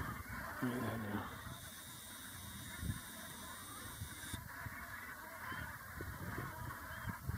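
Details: Brent Geese feeding on grass in a moving, squabbling flock: rapid low honking and murmuring calls overlap steadily throughout, with a brief louder note near the start and a faint steady background tone.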